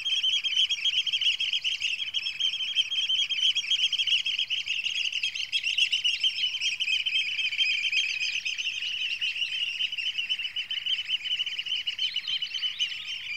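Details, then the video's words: An angry Eurasian oystercatcher attacks a DJI Mini 2 drone, giving a fast, unbroken stream of shrill, piping 'kleep' alarm notes, several each second, over a faint mechanical drone hum. "scholekster vs drone"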